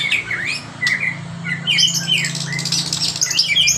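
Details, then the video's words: White-rumped shama singing a fill-in of mimicked kinoi, lovebird and canary phrases: squeaky rising and falling whistles, slurred notes and dense harsh chattering, with a steady low hum underneath throughout. "murai batu pastol nembak isian kinoi, love bird kenari"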